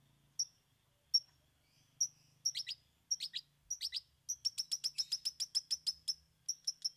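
Long-tailed Shrike giving sharp, high chips spaced about a second apart, then short falling buzzy notes and a rapid run of chips, roughly five per second.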